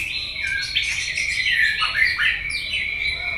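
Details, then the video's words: White-rumped shama, a fighting song meant to provoke a rival: a dense run of varied whistled and warbled phrases, with sliding notes and quick trills overlapping without pause. "chòe lửa tạch đuôi âm kép kích lửa hiệu quả.dìu lửa chuyền mùa 2 hót đấu lên lửa cực nhanh"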